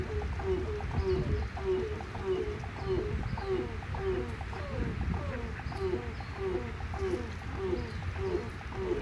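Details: Endangered grey crowned crane, or African crowned crane, calling; short nasal honks repeat almost twice a second in an uneven series, with a constant low background rumble.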